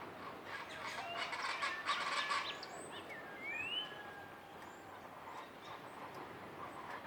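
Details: Common chachalacas, loud and social, give harsh, raucous calls in the first few seconds, then fade, among trees above a palapa in Sierra Madre jungle along Banderas Bay, Mexico, in the morning; thin rising whistles and chirps from other birds over steady forest hiss.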